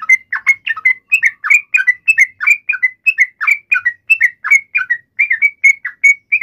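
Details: Yellow-vented bulbul fighting call provoked to draw an answer: bright, whistled chirps with downward sweeps and rising tails, rattled off rapidly and evenly in a long unbroken sequence; quiet surroundings.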